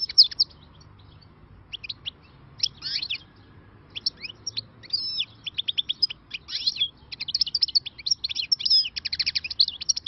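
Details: Freshly caught wild European goldfinch singing the khalawi style: sparse tinkling notes building into fast, continuous twitters and buzzy trills that grow louder and denser toward the end.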